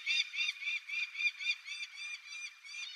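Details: On a coastal rocky breeding site on Tobishima, Yamagata, Japan, a female peregrine falcon wails to the male for food; rapid repeated raspy notes, roughly four each second, slightly arched in pitch, fading a little toward the end.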